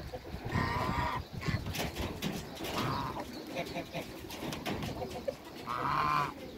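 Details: Backyard pair of Toulouse geese among other waterbirds, giving three drawn-out, nasal honks spaced roughly two to three seconds apart, the last the loudest, with low clucking and general farmyard murmur between them.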